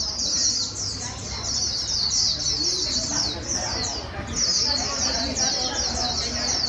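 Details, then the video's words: Rapid high warble of a white-eye, meant to stimulate a newly caught bird into fast líu song; quick repeated note bursts in an almost continuous stream, briefly pausing midway, over soft background noise. "Kích chim vành khuyên bổi mau líu"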